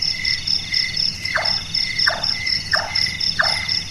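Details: Large-tailed nightjar (burung tukang), active after dark, delivering four chopping chonks at regular intervals in the second half, with high-pitched crickets ringing steadily behind.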